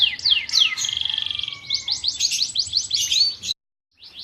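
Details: Fighting canary song used for training: a few sweeping downslurred whistles, a quick rattling trill, then a busy run of rapid chirps before a short pause.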